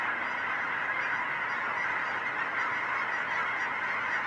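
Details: Geese swirling overhead in a big flock at Finley National Wildlife Refuge, 10/31/20: an unbroken wall of many overlapping nasal honks, steady in loudness from start to end.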